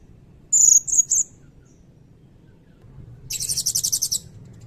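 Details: Blue-crowned hanging parrot singing loudly in a long cililin-style phrase. Three sharp, very high whistled notes come first, then after a pause a fast, buzzy, pulsing trill of about a dozen beats. A low background hum runs throughout.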